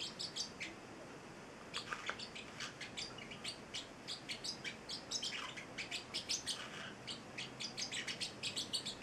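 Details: Captive young Celestial Parrotlet, male, eight weeks: long rambling sequence of quick high chirps and flicking notes, growing denser toward the end, with steady background hiss.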